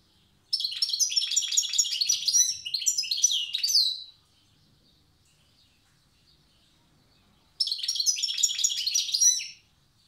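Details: Wild European goldfinch of Tiaret singing in the old song style: two bursts of rapid, bright twittering and tinkling notes, each about three seconds long, separated by several seconds of silence.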